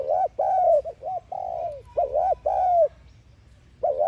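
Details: Lure spotted dove giving thúc gù coos to stir caged doves into calling: a run of mellow arched notes and drawn-out falling coos, packed close together, then a short gap before the next phrase begins.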